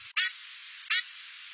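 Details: Black-capped Chickadee at the nest giving the squawk call, two short, harsh, raspy squawks about three-quarters of a second apart over a steady high hiss; parents of either sex use it when provisioning to get nestlings to open their mouths for feeding.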